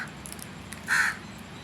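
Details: Single loud, rough crow caw lasting a fraction of a second, with faint clicks before it and steady background hum.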